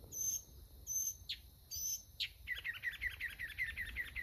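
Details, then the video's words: Mockingbird delivers a long, fast string of evenly repeated chirps after several high, hissing buzzes, likely from insects nearby. "Songs of a mockingbird."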